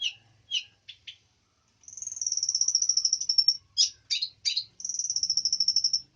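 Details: Long-tailed shrike singing energetically: a few scratchy high chirps, then a long fast even trill of thin high notes, more harsh squeaky chirps, and another sustained high trill, in near-silent surroundings.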